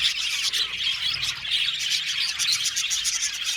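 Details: Budgerigar colony in an aviary, a busy overlapping chorus of high twittering chirps and short squeaky notes, steady and unbroken.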